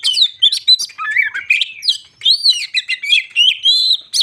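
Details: Rich whistled phrases from a white-crowned shama singing to stir other shamas: arched, sliding notes mixed with crisp chirps, delivered continuously with brief gaps.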